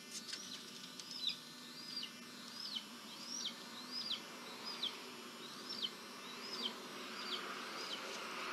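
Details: At a nest in Tennessee on 18 June 2023, a leucistic adult red-tailed hawk brings a small bird to the young. About ten high, thin, arched calls rise then drop, repeated roughly every 0.7 seconds over a steady hiss.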